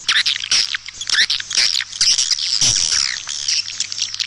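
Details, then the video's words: Swiftlet-house lure call of white-nest swiftlets from East Kalimantan: crowded high chirping and rasping twitters layered together, over a faint low electrical hum. "Suara panggil kaltimtara"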